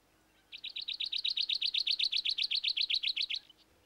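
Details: A male White-winged Triller, a summer breeding migrant nesting with its mate in a low coolibah on an inland Australian wetland during a flood year, gives a fast, high trill of about twenty bright notes, some seven each second, lasting three seconds.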